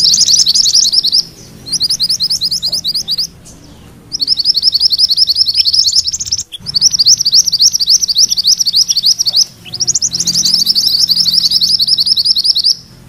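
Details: Rolling ngerol song of a mantenan kuning, a songbird used as a tutor for magpie-robins. Long runs of fast, high, rattling notes repeat in bursts of two to three seconds, with brief breaks between them.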